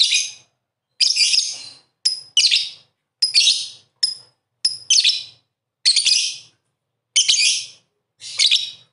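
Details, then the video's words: Lovebird singing energetically: a fast run of about ten harsh, high, rasping chatter bursts with short sharp whistled notes mixed in, barely pausing between them. "Master lovebird 100% ngakak gacor"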